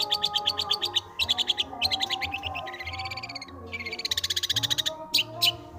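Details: Long-tailed shrike in full, varied song, switching between quick chattering trills, a drawn-out buzzy note, and bright rapid chips, with gentle music running beneath.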